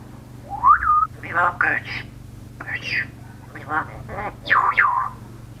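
A grey parrot opens with a rising whistle, chatters in short speech-like bursts, and ends with two swooping whistles over a low steady hum.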